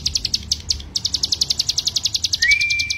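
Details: Mountain white-eye (ciblek gunung) song for training birds: quick series of high, sharp notes, slightly uneven at first, then regular, with a thin sustained whistle entering toward the end.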